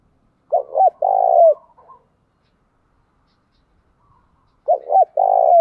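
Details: Decoy spotted dove, a trained caller used to lure wild doves: two loud, close phrases about four seconds apart, each a pair of short looping coos and then a longer, steady, hollow coo that bends downward at the end, in near silence.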